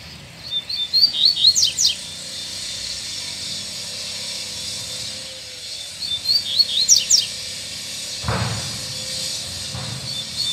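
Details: Double-collared seedeater singing loose and back on form, stimulated by a female: two bursts of rapid high chirps and sharp slurred notes about five seconds apart, with a steady faint hum and a brief low thump between.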